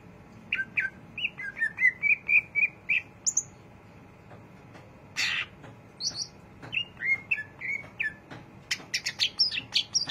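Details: Greater green leafbird singing diligently in ngriwik style: a busy chatter of short whistled notes, rising and falling slurs and sharp high chips, roughly four per second, with faint clicking in the background.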